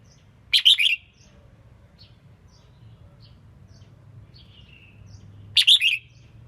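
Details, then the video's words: Female red-whiskered bulbul, kept to excite male contest birds, sings two quick bubbly three-note phrases about five seconds apart, with faint soft chirps between and a steady low hum. "Tiếng chim chào mào yếu lửa hót không đè"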